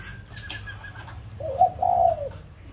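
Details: Song of a white-crested laughingthrush from Kbang, Vietnam: a faint high whistle, then one loud, mellow, slurred phrase that falls away, over a constant low background hum.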